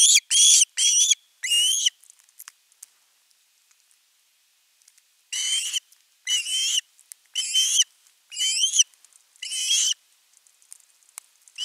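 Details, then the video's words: At an osprey nest on 10 August 2021, a bird begs persistently for fish: a burst of four piercing whistled yelps, then a short pause with faint ticks, then a run of six more rising, strained notes. "Myy huutaa pitkään kalaa"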